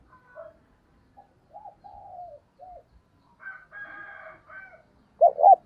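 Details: Decoy spotted dove's thúc bổi call for drawing in other doves. Soft, low coos repeat quietly with a brief, higher chattering phrase in between. A loud pair of short coo notes closes the clip.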